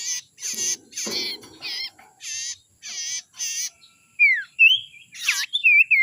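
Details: Harsh, rasping chatter from a young wild Common Iora, used to lure wild birds: seven scratchy bursts in quick series, then clear slurred whistles sweeping down and up, with a final looping note.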